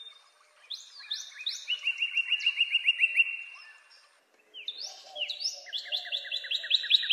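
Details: Northern cardinal giving clear whistled phrases: a few downslurred notes followed by a rapid run of repeated short chirped slurs, a pause, then another similar phrase ending in fast repeated notes; quiet natural background.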